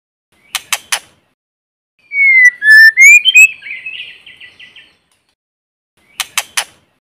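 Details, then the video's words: White-rumped shama singing in forest as a lure song: three clicks, a slurred, rising whistled phrase that fades into a buzzy warble, then three more clicks. Clean recording with no background noise. "Tiếng chim Chích chòe lửa mồi hót kích bổi không tạp âm | White-rumped Shama singing in forest"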